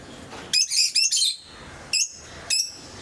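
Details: Shrill, scratchy chattering from home-kept lovebirds of various mutations: a run of rapid harsh chirps lasting almost a second, followed by two single sharp squeaks spaced about half a second apart.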